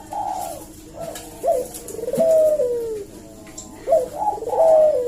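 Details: Eurasian collared dove cooing as a lure to provoke a reply: soft lead-in notes, a clipped accent, then a long falling coo, with the phrase repeating after a short pause.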